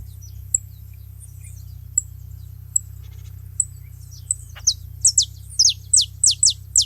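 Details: A group of saffron finches noisy at a feeding site; sparse faint ticks give way to a rapid burst of sharp, high, descending chips, several doubled, near the end.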